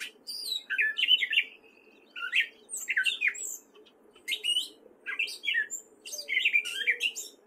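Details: A male gray catbird sings in spring in Fairfield, Iowa, a rambling run of short, squeaky and slurred phrases, each different, broken by brief pauses, over a faint low hum.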